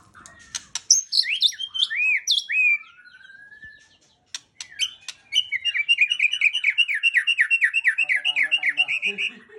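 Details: White-rumped shama singing a varied song: sharp clicks and high whistled notes, rising slurred phrases near the start, then a fast run of about twenty repeated descending whistled notes, with soft low chatter at the end.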